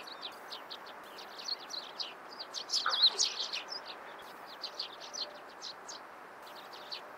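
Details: Eurasian tree sparrows chirping in the morning, a rapid, uneven stream of bright short notes, about three per second, peaking loudest midway, against faint steady background noise.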